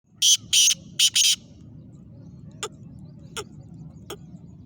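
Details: Black francolin in Sindh, Pakistan: four harsh, rasping notes in two quick pairs within the first second and a half, then only faint sharp clicks over a low rural background.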